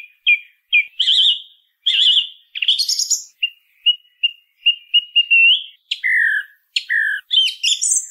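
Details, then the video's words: Varied song of a song thrush, with short warbled phrases and a rattly buzz, then a run of clear short whistled notes repeated several times, followed by sharp descending and rising squeaky notes. "SONIDO de ZORZAL COMÚN CANTANDO"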